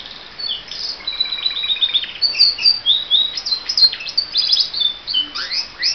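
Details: Caged pet canary in its daily morning song, delivering a long run of fast rattling trills, rising sweeps and piercing whistled notes that keep changing pattern without pause.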